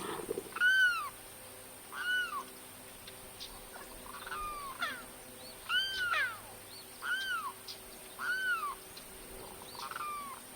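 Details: Florida Limpkin screaming repeatedly: clear, strongly arched wails, each swelling and then falling away, spaced about one to one and a half seconds apart, with fainter answering cries in between.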